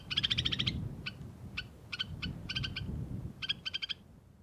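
White-winged snowfinch giving rapid bursts of short, bright, nasal notes, a quick rattling run first, then scattered chips and more brief runs, over a low rumbling background.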